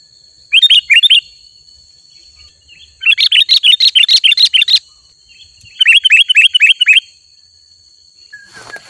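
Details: Sooty-headed bulbul song used to attract wild bulbuls: three separate bursts of fast, evenly spaced chirps, the middle one longest, with quiet gaps between and a steady high tone throughout.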